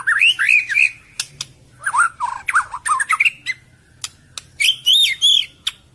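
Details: A white-rumped shama pours out a lure song of fast, chattering, wavering whistled notes in three bursts, with sharp clicks in the gaps.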